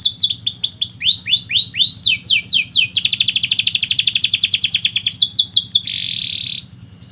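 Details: Vigorously singing AF canary, used as a lure song for canaries that rarely sing and for young ones: fast runs of high downward-swept whistles, then a long rapid rolling trill, more swept notes and a closing buzzy trill.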